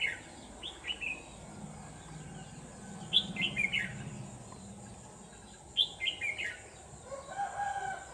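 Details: Red-whiskered bulbul used as a decoy to lure wild birds into a trap in the late afternoon of 29 November 2018. It gives short phrases of three or four clear whistled notes, repeated a few seconds apart, over a steady high-pitched whine.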